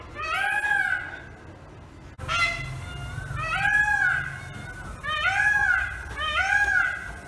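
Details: Indian peafowl perched on a pole calls repeatedly: about five loud, nasal, wailing notes, each rising then falling in a rich harmonic arc. They come every second or so, with a low background rumble.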